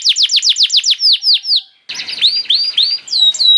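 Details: Canary song for baiting other canaries into song: a quick series of downward-slurred notes slowing down, a short pause, then upward-curving whistled notes and a sharp high note.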